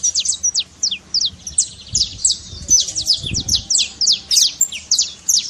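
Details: Saffron finch singing trincado to rouse a quiet bird, a steady stream of bright, high, downward-slurred chirps in short clusters, with faint low rumbles underneath.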